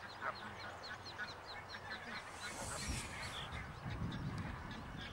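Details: Barnacle geese with chicks in the Waveney Valley, Norfolk, UK: a burst of quick, high, short peeps in close series and a brief honk near the start, over a steady low background rumble.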